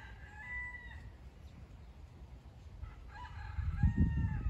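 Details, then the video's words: Rural Nottinghamshire, end of November: a rooster near alpacas gives two harmonic crows, the first about a second long, the second starting near three seconds in, with low rumbling wind or handling noise toward the end. "cock crowing"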